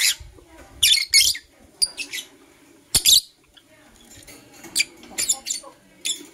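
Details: Scattered shrill chirps and short harsh bursts from Blue Opaline and Parblue Euwing Opaline lovebirds in the morning, separated by quiet gaps.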